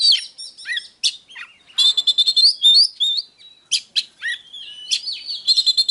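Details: 'Déo' singing from an Oriental magpie-robin, used to rile wild-caught birds into combat: scratchy chatter and dipping whistles, then a rapid trilled stretch of repeated sharp notes and sliding tones, irregular in rhythm.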